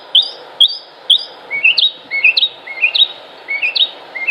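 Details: Male northern mockingbird singing to attract females during the breeding season: three sharp high chirps, then a run of rising, upslurred whistled notes repeated in quick pairs, each phrase copied several times, over a steady low background hum.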